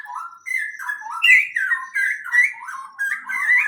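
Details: Chirping birds inside a greenhouse: a steady stream of short squeaky notes that step up and down in pitch, roughly one a second, loud and close, with a clean quiet background.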